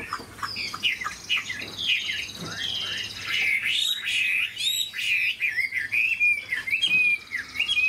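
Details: A big, well-built caged Chinese hwamei with a good voice sings a varied medley of sweeping whistles, buzzy slurs and sharp upward flicks, delivered loudly and continuously.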